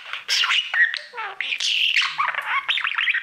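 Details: A male budgerigar kept as a pet sings to his mirror, a nonstop loud babble of squeaks, whistles and buzzy chirps, ending in wavy whistled notes.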